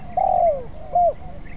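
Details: Spotted dove in song practice, not yet skilled: one long, smooth coo that slides downward, then a shorter, slightly rising coo.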